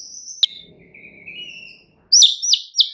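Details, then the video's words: White-rumped shama song used as a lure to provoke other birds: a long high whistle, a click, then lower level whistles, ending in three sharp, loud downward-slurred notes. "SEKALI PANCINGAN Murai Batu anda langsung NAIK EMOSI mendengarnya"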